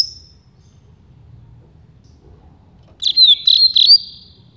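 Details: Rusty-collared seedeater, campainha or flauteado song type used to teach young birds; after nearly three seconds of quiet, one short phrase of three or four clear, high whistled notes, slightly falling, then silence.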